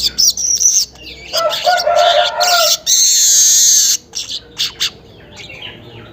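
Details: Weaver recorded at about 5:40 in the morning as a lure: several short buzzy chips, a dense scratchy chattering phrase, a long sizzling wheeze, then a few clipped notes.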